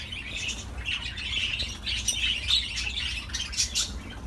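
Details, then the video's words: Budgerigar warbling: a chattering stream of rasping chirps and bright squeaks, building in the middle into a lively twitter, with a few sharp high ticks near the end. "تغريد طيور الحب االبادجي"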